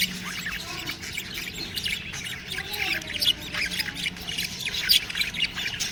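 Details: Budgie chicks give scratchy squawks and squeaks over a background of constant high twittering, with the calls growing louder toward the end.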